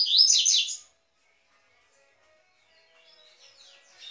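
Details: A coleiro's Tui Tui song for warming up captive birds: a brief loud burst of quick slurred high notes, followed by near silence and a faint returning twitter.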